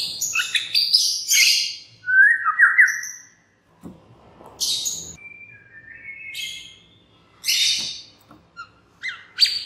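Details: Lure song of a white-rumped shama, meant to set other shamas singing: bursts of high scratchy notes, a falling whistled phrase, then sustained level whistles and sharp chips separated by short gaps.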